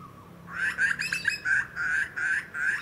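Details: Juvenile grey butcherbird filmed on the Sunshine Coast, Queensland, in August 2020, giving a series of six loud, harsh, mid-pitched notes, each about a fifth of a second long, in a steady run after a quiet start.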